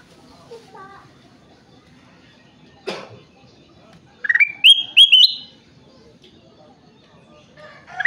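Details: Energetic singing bulbul (kutilang emas): after a short call near the start, a loud burst of clear, rising whistled notes with slurred upward steps. Quieter chirps and faint rustling in the background.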